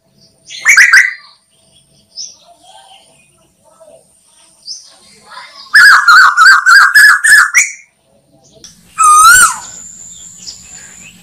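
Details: Lure recording of an Asian koel for hunting: an opening harsh note, a loud rapid burst of repeated notes, then a strongly rising, distorted call, with faint chirps between.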